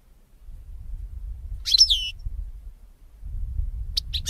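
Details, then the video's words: European goldfinch, recording used to train goldfinches to sing: one short twittering, downslurred burst, then a few sharp chips near the end, with low background hum. "SAKA KUŞU HUYLANDIRMA - #goldfinch - #JİLGUERO - #STİEGLİTZ - صوت الحسون"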